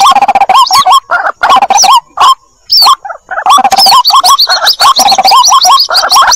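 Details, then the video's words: Chicks of the White-breasted waterhen calling the adult, a lure recording: packed runs of rasping, upturned notes with a brief lull midway, then an unbroken noisy chatter to the end. "suara pikat ruak-ruak mp3 anakan panggil indukan"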